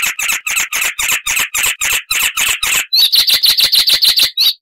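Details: Icterine warbler, a loud songster rich in variation: evenly spaced harsh chattering notes about three per second, switching to a faster run of higher, thinner squeaks.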